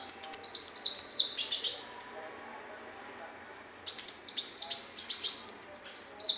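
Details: Song of the muncang sunbird, known locally as kolibri muncang, kept as a training recording: rapid high chips and stepped whistled trills in two bursts separated by nearly two seconds of quiet.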